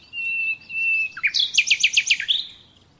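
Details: Common nightingale song for training captive birds: a long steady pure whistle, a short gap, then a quick run of about eight loud down-slurred chirps.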